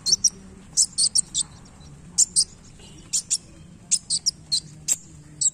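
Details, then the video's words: Sunbird singing during tail-flicking display; sharp high chirps grouped in twos and threes, spaced irregularly across quiet background. "KOLIBRI WULUNG GACOR Main Ekor"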